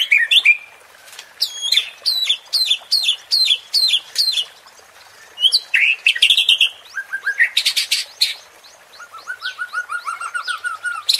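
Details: Song of a white-rumped shama, played to excite rival birds: a series of sharp, repeated high chips, then buzzy phrases, and a fast descending run of short whistled notes.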